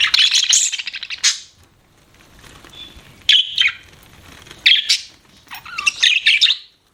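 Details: Pet budgerigars: a loud burst of rapid, buzzy chattering, then scattered short whistled chirps and squeaky warbles after a lull.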